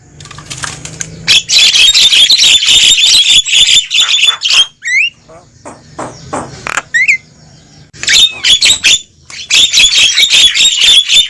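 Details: Wild-bird lure of the Javan myna, noisy in style: long stretches of rapid harsh rattling chatter, broken by a quieter gap with two short rising whistles, then the chatter resumes.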